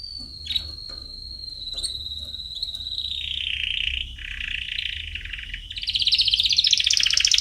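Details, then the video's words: Canary song aimed at chicks: a long steady high whistle, then lower buzzy rolled phrases building into a loud, bright, rapid trill, over a faint background hum. "Canary Singing - Most Spectacular HD Video Training For Chicks"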